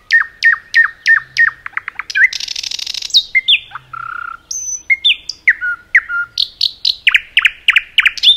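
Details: Common nightingale singing in a forest: a rich varied song of repeated down-slurred notes, a dry rattling trill, pure whistles, then fast repeated chirps, with no other sounds.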